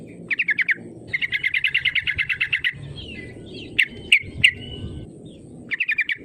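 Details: Yellow-vented bulbul lure song to get rivals singing: a brief trill, then a long steady rattle of rapid even notes, some slurred chirps and sharp chips, and another short trill at the end.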